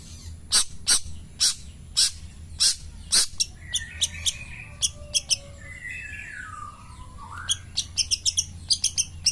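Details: Morning song of a long-tailed shrike, pastol style: widely spaced harsh high notes, a soft wavering whistled passage in the middle, and a closing burst of quick chirps.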